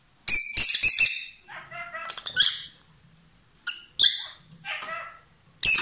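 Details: A pair of lovebirds singing loudly while kissing and exchanging food: bursts of harsh, shrill chirps and rapid squeaky chatter in clusters, with short silent gaps between bursts.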